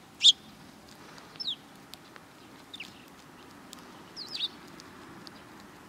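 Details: Sparrows coming for food at a Tenmangu shrine's front approach on 12 April 2020 give a few widely spaced, clear, high chirps and slurred notes, with a faint background hush.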